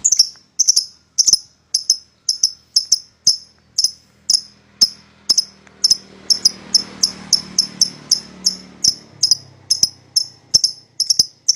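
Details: Pair of pied lovebirds as a lure to make a rival sing: steady, rapid high chirps, often doubled, about three a second over faint background rumble.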